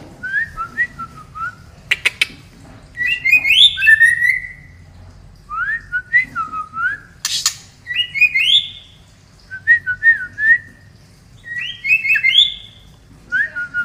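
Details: Female white-rumped shama, a murai batu from Medan, Indonesia, kept as a songbird: clear whistled phrases with rising and falling slurred notes, given in short bursts with pauses, plus a few sharp clicks.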